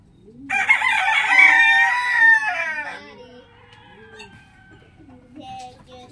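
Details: Rooster crowing in the morning: a long, rough, harmonic crow of over two seconds that wavers and tails off, followed by low rhythmic clucking from hens nearby.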